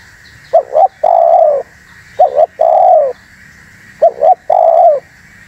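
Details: Spotted dove call used for luring wild doves and provoking other doves into calling: three phrases, each of two short hollow coos followed by one long, slightly falling coo, about every 1.7 seconds. Faint steady hum in the background.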